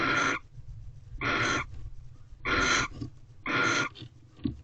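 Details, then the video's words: Bonding barn owls inside an owl box in a corral, 5:03 pm on 26 February 2023. Four rasping, breathy hisses of about a third of a second, roughly one per second, with soft scuffing and a low background hum. "Barn Owls Bonding"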